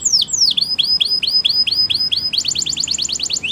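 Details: Training song from a Waterslager canary: slurred downward whistles give way to a steady run of hooked, upturned notes, then a faster repeated note series.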